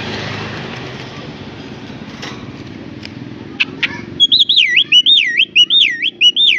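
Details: A Javan myna, a talking bird heard nearby saying words like "assalamualaikum" and "kopi", gives loud, wavy whistled notes that swoop up and down, about two each second, after rushing background noise and a few sharp clicks.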